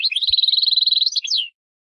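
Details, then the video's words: A single song phrase from a European goldfinch: a fast, evenly repeated trill of bright high notes lasting over a second, closing with a few quick twisting tinkling notes. "Chardonneret - Carduelis Carduelis"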